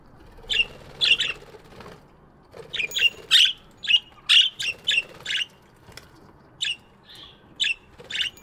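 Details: Several budgerigars chirping in an aviary in the morning: short, sharp, scratchy chirps in irregular bursts, some doubled or tripled, with brief gaps, over a faint low murmur.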